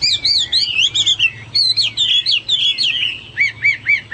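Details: Hwamei song, loud and varied: rapid rich whistled phrases with wavy up-and-down slurs and quick repeated notes, ending in a series of short dipping whistles.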